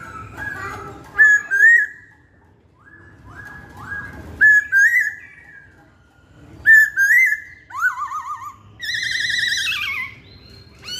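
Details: Masked laughingthrush singing vigorously in bursts: loud looping whistles separated by quieter sliding notes, a rapid warbling trill near the end and a final bright trilled phrase.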